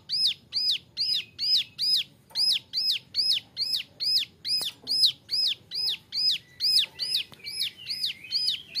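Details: Young male Bar-winged Prinia, recorded as a model song for other birds, delivers a long even sequence of high arched chirps, about two and a half per second, with occasional soft clicks and thin background whistles.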